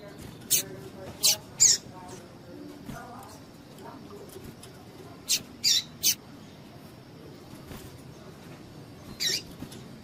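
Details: Female double-collared seedeater calling to stir up males for singing contests: bright, very high chip notes in quick pairs and triplets with pauses between, and a faint low murmur underneath.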